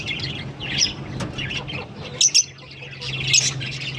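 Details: Pair of green Fischer's lovebirds trading short, piercing chirps about once a second, with sharp doubled squeaks around the middle and end, amid softer high twitter and a steady low hum.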